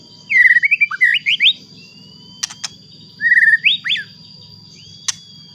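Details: White-rumped shama song used to provoke other shamas into singing: loud whistled phrases sweeping and rising, in two bursts, with sharp clicks between and a steady faint high tone and low hum behind.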